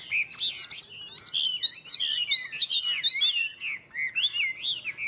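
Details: Contest singing of Chinese hwameis from Vietnam, two birds: a dense, loud flow of bright slurred whistles and rapid trills, changing pitch constantly with hardly a pause.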